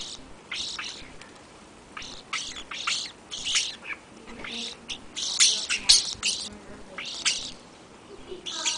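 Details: Feeding flock of European starlings on a February afternoon before an overnight blizzard, giving rapid grating rasps and clicks about twice a second, rising into a busier, louder stretch near the end.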